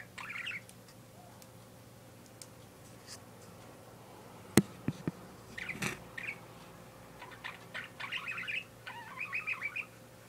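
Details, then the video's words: A pet parakeet gives quiet, scratchy chirps and warbling chatter in short bursts, with a sharp tap and a steady background hum. "My Parakeet Making Noise"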